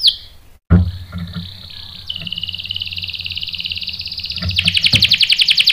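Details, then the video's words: Canary song used as a lure to draw rolling song from males: an opening note, a dropout and some knocks, then a long buzzy trill that grows louder and faster toward the end. "PANCINGAN KENARI GACOR bikin EMOSI jadi NYAUT NGEROL TAJAM | CANARY SINGING"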